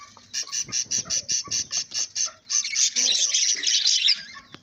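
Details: A happy budgerigar gives quick high chirps, about five a second, then breaks into a rapid scratchy warble.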